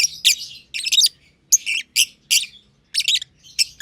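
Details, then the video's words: Green personata lovebird and its green pied companion in a simple aviary. Loud grating chirps come in paired and tripled bursts about every half second, with a soft low rumble behind them. "Lovebird Chirping Sounds"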